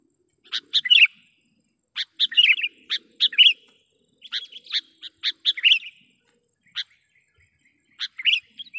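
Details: Trapping lure recording of a sooty-headed bulbul: spaced clusters of sharp, clicky chips and brief bubbly warbles, repeated at irregular intervals against a quiet background.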